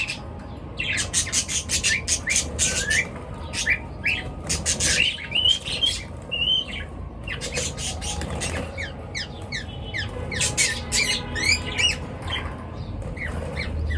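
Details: Pet birds in the morning keep up a long run of busy chirping: clustered harsh squawks and rising whistled tweets in waves, briefly pausing, over a continuous low rumble.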